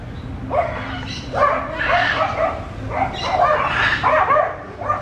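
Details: Macaws enjoying clods of earth give harsh, raspy squawks in overlapping bursts roughly every second, several birds calling together over a low background hum.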